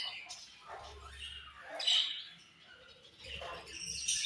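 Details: Budgerigars chirping: bursts of harsh, scratchy chatter and squawks mixed with short high chirps, rising and falling in loudness over a few seconds, with a low hum underneath.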